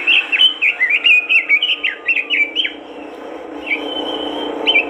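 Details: Robin singing vigorously as a prompt for other robins: a dense series of high, downward-swept whistled chirps, followed by a softer long whistle and a final chirp.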